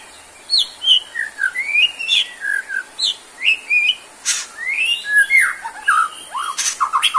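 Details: Actively singing white-rumped shama, a recording meant to revive shamas that lack stamina or have stopped singing. It pours out varied rich whistles and swooping slurs in a steady run, broken by a few sharp clicking rasps near the end.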